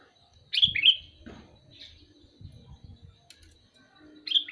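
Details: Two bubbly whistled phrases from a calling sooty-headed bulbul, each a rapid run of clear liquid notes, separated by quieter faint chirps and soft low background noise.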